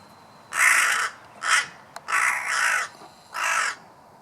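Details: Crow cawing: four harsh, hoarse caws, the first and third drawn out, the others short, over a faint background hiss.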